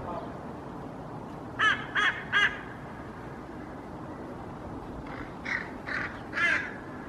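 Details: Hooded crows giving harsh, raspy caws, three then three or four more, while chasing off a common raven carrying pieces of a feral pigeon in a park, Helsinki, Finland, 8 May 2024; steady background hiss.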